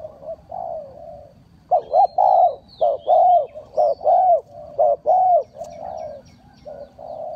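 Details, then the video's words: Spotted dove cooing as a trapping lure: a steady series of loud, rounded, hoarse coo notes, some doubled, repeated roughly once a second, with softer coos before and after. "Tiếng chim cu gáy mồi chuẩn gáy gọi cực hay"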